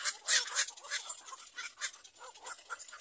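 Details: Little egret chicks in a nest (nest 3) waiting for their mother, giving harsh, noisy, rasping begging chatter in rapid overlapping bursts several times a second, loudest near the start.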